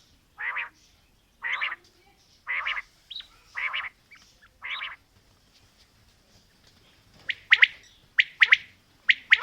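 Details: Quail, female and male calling: broad rasping bursts about once a second, then quick sharp high three-note phrases toward the end.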